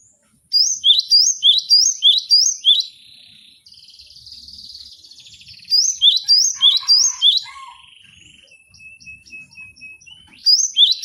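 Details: Cinereous tit (gelatik batu) song used to tutor cage birds: fast runs of sharp two-note whistles, then a buzzy held note, varied chattering notes and a thin drawn-out whistle before the phrases return.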